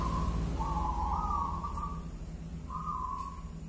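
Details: Zebra dove, a local wild bird, giving one-and-a-half engkel style song: a short coo, a longer rolling coo that lifts slightly, a pause, then one level coo, over a steady low hum.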